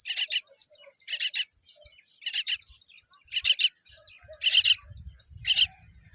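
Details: Tiny baby common myna, a chick born with a weak beak, giving harsh raspy broadband calls in tight pairs or triplets, repeated about once a second, over a steady high-pitched insect-like whine.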